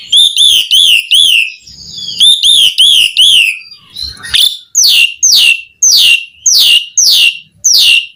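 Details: Vigorous gacor singing from an Asian pied starling. It opens with quick runs of rising-falling whistled notes, then shifts to a steady series of loud, sharply descending whistles, about one every 0.6 seconds.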